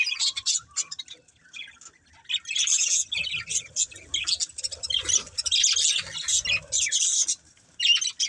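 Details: Budgerigars of a breeding pair chattering in quick, buzzy high warbles, starting softer and then growing into dense, nearly continuous chirping.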